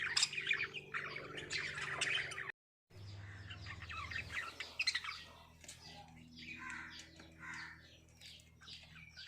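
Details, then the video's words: Singing breeding lovebirds: rapid, scratchy chirping that is strong at first, breaks off in a short silence, then returns as softer, scattered twitters over a low hum. "Love Birds Singing"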